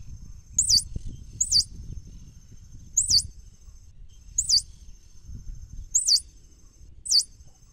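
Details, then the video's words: Swallow-tailed hummingbird repeating high, sharply twisting squeaks about every one to one and a half seconds, six in all, over faint low-pitched background noise. "Canto del Colibrí Golondrina"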